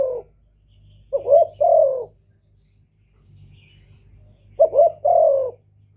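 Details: Spotted dove cooing to provoke males: a short broken double note followed by a long, slightly falling coo, given twice with a long pause between phrases. A low steady hum runs underneath.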